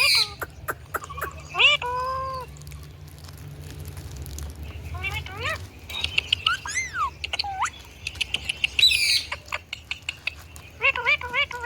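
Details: Indian ringneck parakeet talking and making sounds: slurred, speech-like warbling phrases with bending whistled tones, scattered sharp ticks and a harsh high screech, separated by quieter stretches with a steady low hum.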